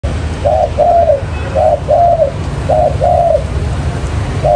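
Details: Spotted dove recorded as a trapping lure: paired mellow coos, a short note then a longer falling one, repeated about every second over a low steady rumble.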